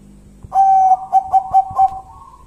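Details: Eerie call of a local wild zebra dove: a sustained mellow coo, then four clipped repeated notes roughly a quarter second apart, all on one steady pitch, over faint low background hum.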